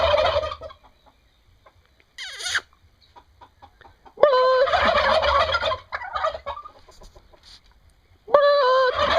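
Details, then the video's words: Turkeys in Brazil gobbling in irregular bursts: a short rattle at the start, a brief higher call, then a long loud gobble of over a second, a fainter follow-up, and another gobble at the close. "Funny Turkeys gobbling and making funny sounds"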